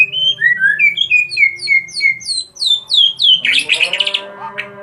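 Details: White-rumped shama (murai batu) of the Medan type singing a fast run of clear whistled notes, each sliding upward, gradually climbing higher, then breaking into a harsh, buzzy burst of rough notes at the end.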